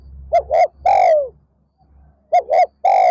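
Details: Spotted dove decoy calling in the afternoon to draw in wild doves, two three-note phrases of short hoots and a long falling coo in quick succession over a low background hum.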